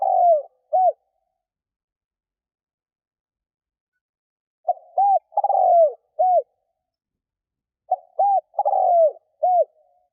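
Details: Lure spotted dove calling to attract wild birds: repeated phrases of a short note, an arched coo, a long purring falling coo and a closing arched coo, separated by gaps of several seconds. The setting is quiet.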